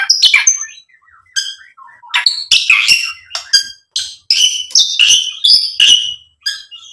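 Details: Varied white-rumped shama song meant to provoke other birds to answer: bursts of sharp, high chattering notes and scratchy trills mixed with short ringing whistles, delivered in quick clusters with short gaps.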